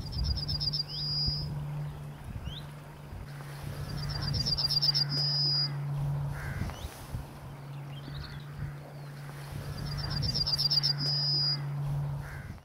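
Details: Singing Yellowhammer in Scotland, recorded on a walk: three phrases about four seconds apart, each a fast series of high repeated notes closing with a long held whistle, over a constant low mechanical hum.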